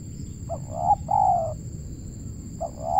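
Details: Local Indonesian spotted dove (tekukur) used for trapping, giving a deep cooing phrase: two short hoots then a longer falling coo, partly repeated at the end, over a steady high electronic whine.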